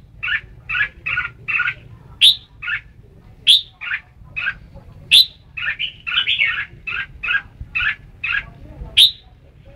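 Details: Long lively run from a red-whiskered bulbul: steady series of short chirped double notes punctuated every second or so by a piercing bright accent, over a low hum.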